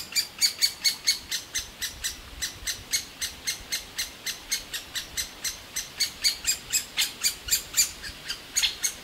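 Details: Young great spotted woodpeckers begging loudly and nonstop for food from their nest hole in a large old aspen while both parents bring food; sharp high chirps repeated about four times a second, steady and evenly spaced.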